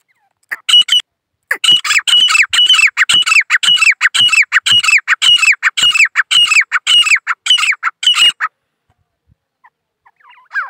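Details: Grey francolins, two females and one male of the desi grey francolin, calling together in a fast, loud series of harsh, ringing notes, about two per second, that runs for around seven seconds and then stops.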